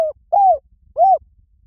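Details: Spotted dove calling for luring doves: a cut-off first note, then two smooth, low coos, each arching slightly and falling away, about two-thirds of a second apart, in quiet surroundings.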